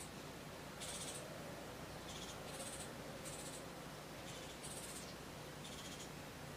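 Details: Three fledgling Hooded Orioles with an adult female that feeds them insects and regurgitated food, side yard about 10 miles west of Santa Barbara, California, August 2013: harsh, raspy high chatters about once a second, six bursts, over low hum.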